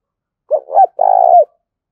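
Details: Decoy spotted dove calling: one short hollow coo phrase, a brief doubled opening note followed by a longer drawn-out coo that drops slightly at the end. No other sounds are heard.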